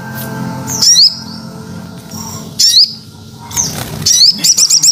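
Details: Crested jay (Platylophus galericulatus) lure call: sharp, high, squawky chirps in short bursts, ending in a quick repeated chatter, with low music humming underneath.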